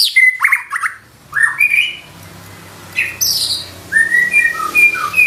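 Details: White-rumped shama in energetic 'nembak' song with 'isian' filler phrases: scattered bright whistled slurs and short chirps separated by a quiet pause, with a faint low hum in the background.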